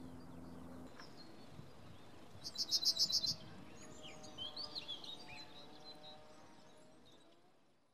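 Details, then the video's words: Male yellowhammer singing a quick burst of about eight sharp, high, evenly spaced notes, followed by a softer second run of similar notes. Faint music is heard at the very start, and a steady hum sits underneath throughout. "Strnad obecný - The yellowhammer (Emberiza citrinella) - Samec/Male ♂"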